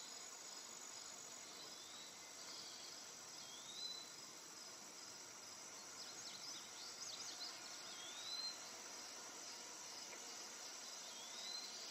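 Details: Eastern wood pewee whistling soft upslurred notes, repeated every few seconds, over a steady high buzz of insects and a brief burst of other bird chatter.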